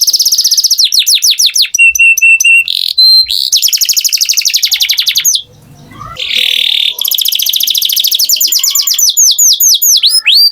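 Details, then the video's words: Long canary song of shifting tours: sweeping notes, steady whistles and rolling trills, broken once by a short quieter gap with soft low noise, then resuming with rapid trills. "Canary Singing Beautifully"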